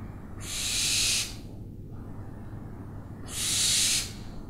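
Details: Two drawn-out, airy hissing screeches from an owl, each close to a second long, separated by a pause of about two seconds.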